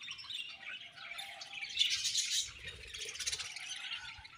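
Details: Budgies chatter continuously, a thick layer of squeaky, twittering high notes that swells to a louder peak midway before settling back into steady warbling.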